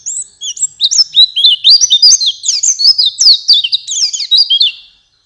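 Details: White-eye song used as a training recording to prompt caged birds to sing, suited to night and morning: a fast, continuous high twittering of sliding whistled notes and chirps, dense and unbroken for about five seconds.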